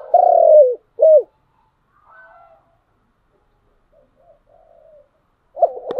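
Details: Spotted dove singing in the giọng đồng style: a long, loud, vibrating coo and a short, clipped coo, then faint, low cooing. A fresh loud coo begins at the close.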